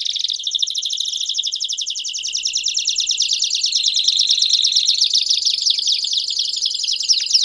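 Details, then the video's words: Belgian canary singing a continuous, high rolling trill with fast chattering notes, steady in loudness throughout. "Canário Belga Cantando Estourado"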